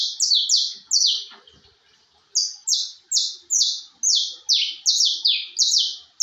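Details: Singing hard, a "de porte" canary gives quick clusters of shrill descending notes, falls silent for about a second, then returns with an even train of sweeping high notes.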